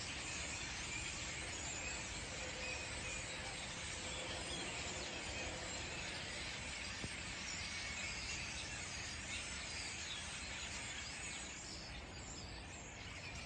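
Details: A huge flock of migrating common starlings, back in backyard trees after several years' absence, makes a dense, unbroken roar of chattering, clicking and whistled notes that fades slightly near the end.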